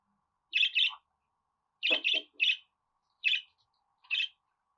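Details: Budgerigar giving loud, clean, buzzy chirps, mostly paired, in short groups separated by silence.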